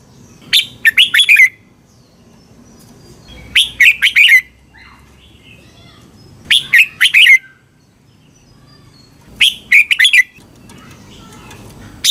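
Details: Thai red-whiskered bulbul song for training or rousing caged birds: four short phrases of quick chirpy, warbling whistles, each about a second long, repeated roughly every three seconds, with low background rumble.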